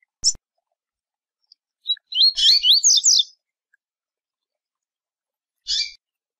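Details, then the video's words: Double-collared seedeater singing the Tui Tui song style: a brief high chip, then a quick phrase of about six looping whistled notes, rising and falling, lasting about a second, with sharp high chips before and after. "Coleiro Tui Tui"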